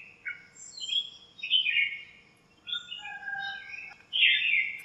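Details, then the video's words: Several birds chirping in a lemon tree in a home backyard on a cool, sunny morning, fighting and calling to each other; bright, sliding chirps and short warbled phrases come in bursts with brief pauses between them. "chirps at morning | backyard bird sounds"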